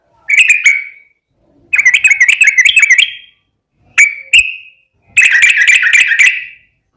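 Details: Yellow-vented bulbul singing vigorously in long 'ropel' style: short bursts of rapid bubbly warbled notes separated by silent gaps, with two sharp single chirps in between.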